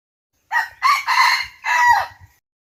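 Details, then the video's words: Crowing of a wild red junglefowl, a loud four-syllable phrase: two brief clipped notes, a sustained middle note, then a long falling final note, with soft low knocking sounds in the background. "suab qaib qus qua dib tuaj zoo heev"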